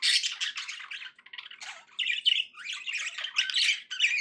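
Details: Pet budgies chattering happily in dense, rapid warbles, scratchy squeaks and chirps with one brief dip in the stream.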